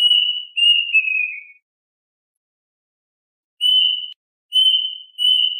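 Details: A plaintive cuckoo's flock-calling song: the descending end of a whistled phrase, a pause, then three short, steady whistles starting a new run.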